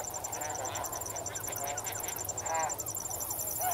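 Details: Snow geese calling from a flock as they swim and wade in water, a few scattered nasal honks rising and falling over steady pulsing crickets and a low background hum.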